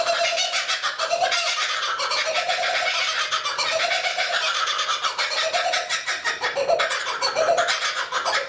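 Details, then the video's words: A single kookaburra watching from a tree by Australia's Tuggerah lakes; rapid raucous chuckles fill the air, lower hooting phrases recurring roughly every second and climbing toward the end. "The Kookaburra - A Sound of Australia"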